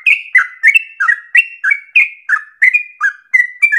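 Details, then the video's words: Yellow-vented bulbul singing as a lure to draw other bulbuls into long, rolling song; rapid, bubbly whistled notes, a short slurred phrase roughly every third of a second, loud and clean with no background. "PANCINGAN TERBAIK agar trucukan menjadi gacor ropel nafas panjang"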